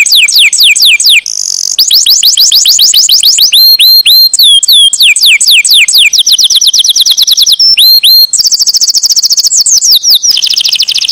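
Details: Singing canary delivering long, powerful phrases: rapid rising-and-falling whistled sweeps, looping slurred notes, and very fast high trills, each section repeated many times before changing.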